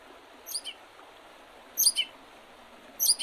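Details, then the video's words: Birds in spring along the Oredezh River, Leningrad Oblast, Russia, on 8 April 2023: soft paired high chirps repeated roughly every one and a quarter seconds over steady low hiss. "Весеннее пение птиц"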